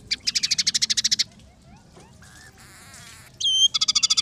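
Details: Scaly-breasted munia song filled with sparrow, red siskin and canary phrases: a fast ringing trill, faint soft slurs, a wavering buzzy phrase, a loud harsh note and another quick trill.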